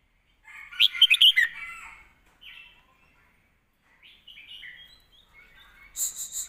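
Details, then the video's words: Caged red-whiskered bulbul giving a point-scoring competition song in southern master-song style, used to train young birds: loud warbled whistles around two to four thousand cycles, a burst of bright notes, then softer chattering phrases and sharp ticks. "เพลงเรียกคะแนน น้ำเสียง+สำนวนครบ(ไว้ฝึกลูกนก)"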